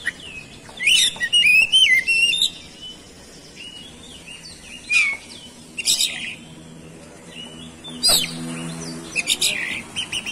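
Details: Oriental magpie-robin song used as a lure to provoke other magpie-robins into singing: loud bursts of varied whistled and chirping phrases, some sharp, rising and falling, separated by short quiet gaps.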